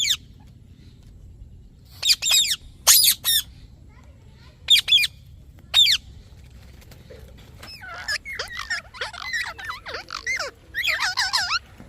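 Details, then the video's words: Parrot with scattered short squawks early, then a dense tumbling run of chirps and whistled slides near the end, possibly more than one bird. "Parrot Chirping Sounds"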